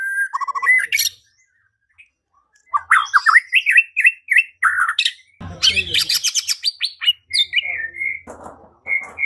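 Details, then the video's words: White-rumped shama song used as a lure to provoke singing and fighting: loud, varied whistled phrases with harsh chattering bursts and rapid trills, separated by a short silence, ending with repeated sharp whistled notes. "Murai batu LANGSUNG TARUNG dan IKUT GACOR dengan pancingan seperti ini"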